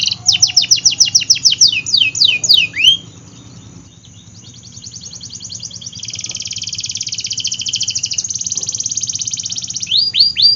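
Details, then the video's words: Canary singing: a quick series of falling whistled notes, a quiet pause, then a long, rising, rapid trill and a few final sweeps. "Kenari Gacor Af , Pancingan Kenari Sulit Bunyi dan Kenari Paud"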